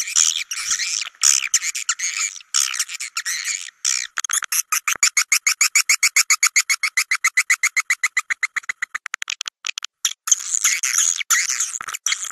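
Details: Swiftlet sound used in swiftlet houses to call birds in and make them roost: raspy twittering, then a long, fast, even train of clicks at almost four per second, returning to harsh chatter.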